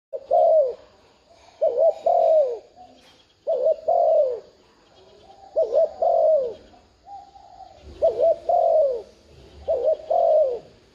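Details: Decoy spotted dove cooing to lure wild doves into calling back. It gives clear, mellow, wavering coos in paired or triple phrases, repeated roughly every two seconds with short pauses between them.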